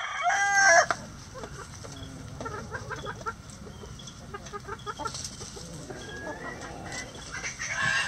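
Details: Chickens at feeding time in a coop, giving soft repeated clucks and murmurs over steady low hum, with a louder squawk at the start and end.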